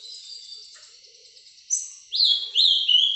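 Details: Live Paraná vinte vinte song of a breeder's azulão (Ultramarine grosbeak): soft high notes at first, then a loud phrase of sharp whistles sweeping down, repeated several times.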